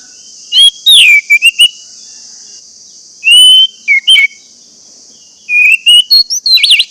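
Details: Orange-headed thrush song used to get caged birds singing: three phrases of slurred whistles and chirps, over a constant high-pitched hum in the background.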